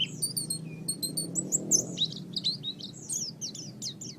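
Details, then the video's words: Oriental white-eye song used to train caged songbirds: varied high whistles, including some flat tones early on, run into a rapid jumble of thin, sliding chirps over a faint low rumble. "Suara Burung Pleci"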